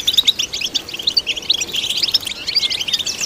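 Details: Goldfinch (European) in song, a fast jumble of bright chirps, liquid twitters and brief sliding notes delivered without pause, meant to stimulate goldfinches.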